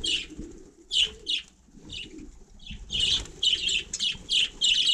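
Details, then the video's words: Budgerigars outdoors on snow in frost chatter in quick bursts of scratchy, high chirps and warbles, several short phrases a second, with soft rustling underneath. "Andulka vlnkovaná"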